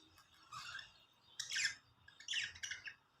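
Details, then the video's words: Pet budgerigars making happy sounds: scratchy squawks and chattering chirps in four uneven bursts, harsh and broadband, with quiet pauses between, in a small indoor room. "cute budgies making happy sounds#budgies singing talking and chirping"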